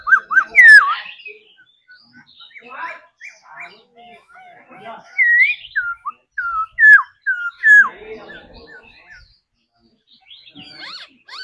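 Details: Laughingthrush trained daily in the singing-and-dancing style, delivering scattered loud whistled phrases with twisting slurs and short downward notes, separated by quiet pauses and soft chatter.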